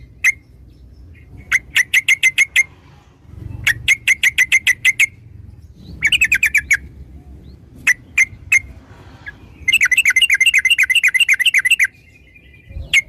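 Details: Sooty-headed bulbul song used as a lure to prompt other birds to sing quickly: bursts of rapid, repeated sharp notes in short volleys, separated by brief pauses, with a longer bubbly trill near the end.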